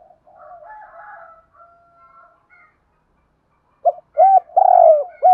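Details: Spotted dove kept as a lure for wild doves: a soft, wavering coo phrase, a quiet gap, then a loud sequence of short, arched notes and one long, drawn-out coo.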